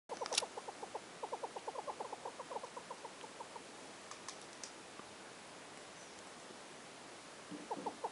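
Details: Hornbill at the campsite of Khama Rhino Sanctuary, Botswana, giving a long rapid series of hollow clucking notes, several per second, with a brief pause and a few more notes at the end against a soft background hiss.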